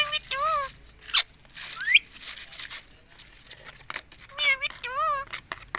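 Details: Pet Indian ringneck parrot saying "mummy" over and over: nasal, wavering two-part phrases, a sharp high squeak and a rising whistle, with pauses between bursts and faint background noise.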